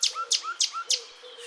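A Common Nightingale repeats one phrase four times, about three per second: a high, sharp chip and then a short, clear whistle. A faint low hum runs underneath.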